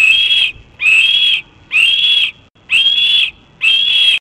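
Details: Young red-tailed hawk on the nest rail at Cornell, 28 June 2012, early afternoon, persistently begging for food: five piercing, sustained whistled cries, each about half a second long, repeated roughly once per second.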